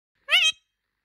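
An Indian ringneck parakeet speaks a single clipped, slightly rising two-part word like "hello" in a high, nasal voice, lasting about a third of a second.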